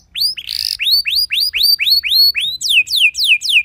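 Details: Canary singing a lure song meant to provoke other canaries into singing: arched whistled notes repeated about four times a second, a brief buzzy burst early on, then a run of loud downward-sweeping notes at the end.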